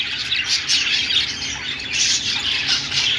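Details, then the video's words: Short stretch of budgerigar flock noise, shrill squawks and chirps overlapping in a constant high jumble. "Australian parrot singing |love birds sounds |parakeet chirping sounds |budgies"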